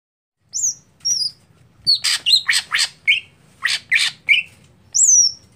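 A greater green leafbird sings a lively mix of high, down-slurred whistles and harsh, buzzy chattering bursts, delivered in quick clusters with brief pauses.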